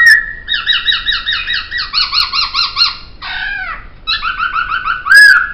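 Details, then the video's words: Poksay song for songbird training: a short whistle, then long series of rapid pulsed harmonic notes, a descending fan of buzzy notes, more pulsed notes and a final loud slurred whistle. "Masteran Suara Poksay"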